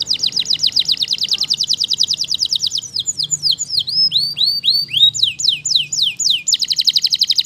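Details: Waterslager canary song: a rapid high trill shifts into a sequence of separate swooping, downward-curving whistled notes, then returns to a fast buzzing roll.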